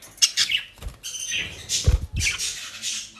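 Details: Several pet budgerigars in the Netherlands pick at dry leaves and grass from a bird shop. Busy scratchy chirps and squawky twitters overlap with knocking and rustling feeding sounds.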